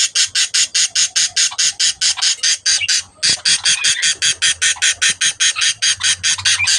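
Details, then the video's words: Breeding budgerigars give a long series of harsh, buzzy, rasping pulses, repeated roughly every 0.4 seconds with a brief pause midway. A low hum sits underneath. "breeding of budgies birds"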